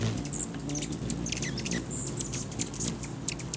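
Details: On May 20, 2020, rufous hummingbirds fight for a perch on a man's finger, giving quick, tinny, high chips and short squeaky twitters throughout, set against a low rumbling background.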